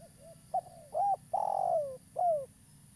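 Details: Spotted dove of a local strain, a lively caller kept as a trapping lure, gives a soft lead-in coo, a brief note, an arched coo, a long descending drawn-out coo and a closing downslurred coo; faint background hum.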